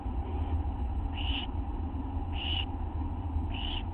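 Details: Young owls in a nest during a nighttime feeding at 1:29 AM, August 9, 2011, with a parent bringing a small mouse. Three harsh hissing bursts come evenly spaced about 1.2 seconds apart over low background hum.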